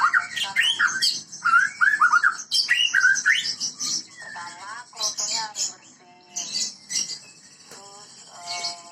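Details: Medan-type white-rumped shama singing rich whistled, looping phrases at first, then softer varied notes and rapid chatter, with a steady high hiss and other chirping in the background.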